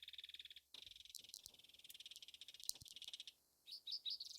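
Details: Belted kingfisher (Megaceryle alcyon), North America, at its nest site, June 2023: dry, rapid, high rattle call in long bursts with a short pause, closing with a few harsher separate notes.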